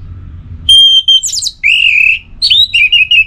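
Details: Orange-headed thrush (anis merah) singing, Singaraja, northern Bali, played as pacingan to make birds sing: a steady high whistle, a downward buzzy slur, then a run of clear rising and falling whistled notes.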